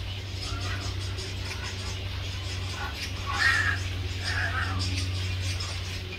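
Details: Young grey heron (Ardea cinerea) begging a parent for food, grabbing its bill and hanging on; harsh, rasping begging calls in irregular bursts, loudest midway, over a steady low droning hum.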